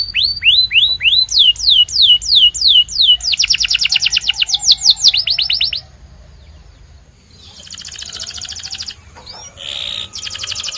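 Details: White canary singing spaced downslurred whistled notes that speed into a dense rapid roll, after which the song fades to softer, fainter phrases.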